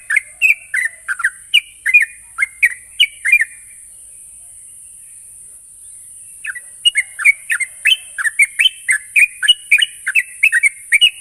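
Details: Sooty-headed bulbul lure song for prompting untrained birds to sing: a lively sequence of bubbly whistled notes, a three-second gap, then a longer, faster run of paired chirps, all over steady hiss.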